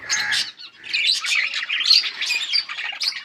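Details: Several yellow budgerigars, recorded August 20, 2024, chatter in rapid scratchy warbles and squawky chirps, high and busy, with a short pause near the start before the continuous chatter resumes.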